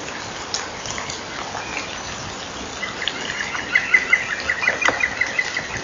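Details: European green woodpecker laughing at a nest-wall camera at 20:11 on 18 April 2012, a kingfisher flying out of its tunnel; a quick run of about ten clipped, evenly spaced notes starts midway over steady hissing background noise.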